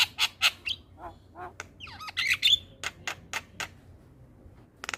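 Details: Javan myna morning song used for teaching young birds to copy: loud harsh squawks, a cluster of sweeping whistled notes, then a string of short rasping calls.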